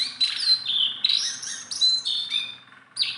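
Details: A tame Sunda bulbul in full song gives long, bright, slurred whistles, some drawn out and steady, others falling. The phrases are separated by short gaps, and a final burst comes after a pause.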